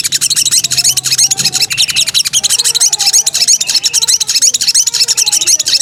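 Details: Breeding female sooty-headed bulbul calling the male, giving dense, high-pitched chattering and twittering notes repeated roughly three times a second without pause, with faint lower whistled traces in the background.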